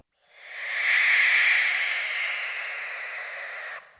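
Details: Barn owl in the UK gives a single long, harsh, hissing screech. It swells over the first second, then holds steady before cutting off after about three and a half seconds. The setting is otherwise quiet.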